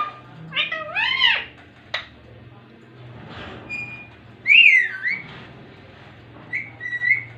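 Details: Talking ringneck parrot indoors giving harmonic speech-like phrases, a click, then whistled rising notes, with a low steady hum underneath.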